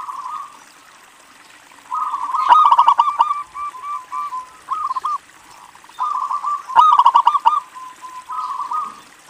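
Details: Zebra dove of local Indonesian stock singing to draw other doves into song: soft purring trills broken by two loud bursts of rapid, stuttering coos, then spaced short notes and a quieter rolling phrase at the end.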